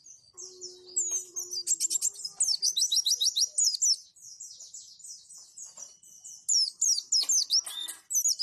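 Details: White-eye (pleci) song in the roll tembak and wituwit styles, a training recording for caged white-eyes to copy. Fast, high, twittering phrases of sharp falling whistles pour out almost without pause. A brief low hum sounds early on.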